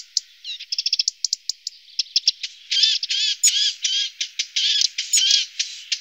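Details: Lesser spotted woodpecker feeding its young. A fast run of thin ticking notes opens, followed by louder, dense, buzzy chirping bursts in rapid succession, with high squeaks on top.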